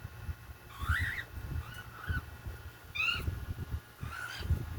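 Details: A young hand-fed cockatiel making sounds for the first time gives four short, wavering calls that rise then fall, over low thumping handling noise.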